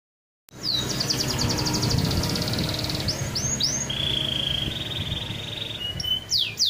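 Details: Canary song opening with a run of fast down-slurred high notes, then a few separate swooping whistles and a long, steady, high trilled note held for about two seconds; a low rumbling hum runs underneath.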